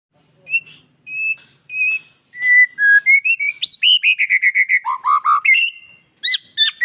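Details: A White-rumped shama's lure song, used to stimulate male shamas into breeding condition and agitation: a few clear, level whistles, then a fast run of rich, varied notes that rise and dip, ending in sharp upslurred phrases.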